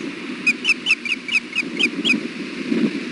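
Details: Brooding male osprey at the Hellgate nest camera sounds alert on a very windy July 3, 2016 afternoon: eight quick piping chirps in a regular series, then only gusting wind for the last second.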